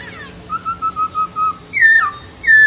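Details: Laughingthrush singing a run of six even, level whistled notes at a steady pace, then two louder slurred whistles that drop in pitch, in a quiet setting.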